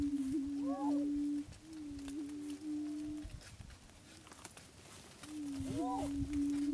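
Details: Attwater's prairie chicken, an endangered Texas subspecies of the Greater Prairie Chicken, gives low, hollow, moaning hoots, each held about a second and a half, three in a row, over a quiet open-country background.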